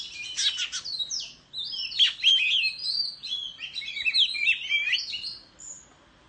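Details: {'text': 'Oriental magpie-robin singing competitively while fanning its tail in display in the countryside; rapid run of varied sweet whistles and scratchy slurred notes, a short break after the first burst, then a long continuous warbling stream.'}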